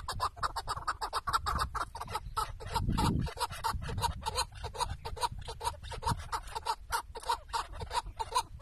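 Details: Chukar partridge tethered as a decoy during a partridge hunt in Şırnak, Turkey: a fast series of hoarse, clucking chuk notes pouring out almost without pause, over a low rumble of wind or handling noise.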